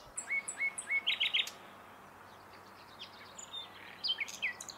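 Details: Common nightingale singing: a series of three clear rising whistles near the start, then a loud burst of rapid clipped notes, a pause, and later a faster run of varied high twittering phrases over steady low background hum.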